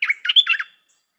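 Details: A newly trained decoy stripe-throated bulbul gives a short, tumbling series of gurgled notes with a higher whistled peak in the middle, lasting under a second, with no other sounds.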